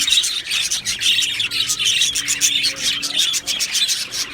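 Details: Happy budgerigars in a colony chirp and warble in pulsing waves of overlapping high tweets, with occasional short whistled notes and a soft low hum behind.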